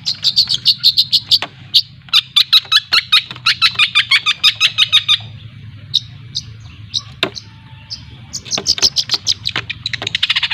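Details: Long-tailed shrike of Lampung stock learning to 'ngriwik', played as a lure: long bursts of rapid rattling chatter, a quieter gap with scattered clicks, then the fast chatter resumes.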